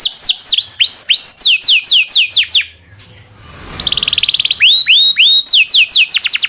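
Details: Local canary song used to tutor chattering songbirds; hooked whistles and falling notes, a short quiet gap, then a buzzy high trill and more upswept whistles.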